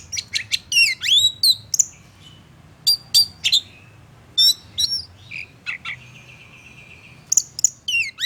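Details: Oriental magpie-robin (kacer) song said to make any other kacer angry and agitated: high, sharp phrases of steep whistled down-slurs and rapid chirps in short bursts separated by pauses, with a few softer sustained notes.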